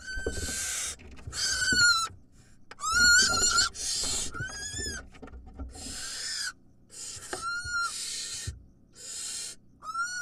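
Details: Wild barn owls during a clumsy feeding visit by the mother. Raspy hissing screeches mixed with tonal, bending squeals that dip and rise, several callers overlapping, with rustling and knocks below.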